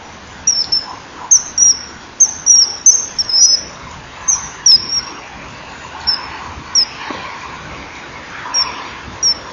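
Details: A male common kingfisher arrives calling at a breeding-wall camera perch at 10:16 on 21 January 2012, the female nearby, giving about fifteen shrill, thin, piercing whistles in irregular bursts, sometimes paired, over a soft steady hiss.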